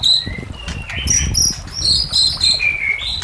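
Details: White-rumped shama song meant for training or luring shamas: high thin whistles and short sliding notes, some very high-pitched, over a low murmuring background noise.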